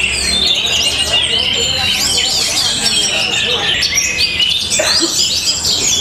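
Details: Orange-headed thrush in Tabanan, Bali, Indonesia, a kept songbird praised for rhythm, style and power, pouring out rapid, varied high twittering and looping whistled phrases nonstop, with a brief lower, louder note near the end.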